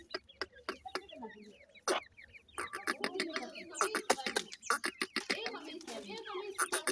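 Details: White francolin chicks, known locally as Irani teetar, reared in captivity: a busy chorus of short, high, downslurred cheeps overlapping one another, mixed with many sharp clicking taps throughout.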